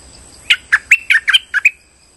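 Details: Streak-eared bulbul, calling as a trapping lure: one brisk phrase of seven harsh, chirpy notes in just over a second, with a steady high electronic tone throughout.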